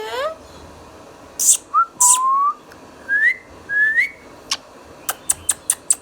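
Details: Green Indian ringneck kept as a talking pet bird, giving short rising whistled notes one after another, a few sharp squeaks, then a quick run of dry clicks at the end.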